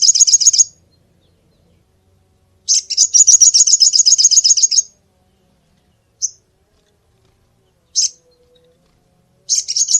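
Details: Repeated sunbird luring call: rapid high trills of quickly repeated buzzy notes, one lasting about two seconds, alternating with isolated sharp chips and quiet gaps.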